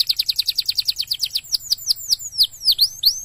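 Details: Canary stimulating song for other canaries, a rapid trill of repeated high notes that slows into spaced V-shaped whistled sweeps.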